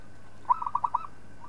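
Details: Zebra dove of a local type, kept for training other birds: one short trill-like run of five or six soft, rounded coos in quick succession, then a faint closing note.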